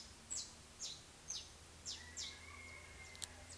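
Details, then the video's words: Saffron finch heard in the dark a little after 5 a.m., a few crisp high chips spaced about half a second apart, then a faint long thin whistle and a low steady hum underneath. "Despertador natural! Canário da Terra !"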